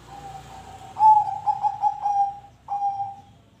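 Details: Zebra dove song used as a lure to get other birds singing: a faint coo, then a loud series of pulsed mellow coos, a brief pause, and one final drawn-out cooing note.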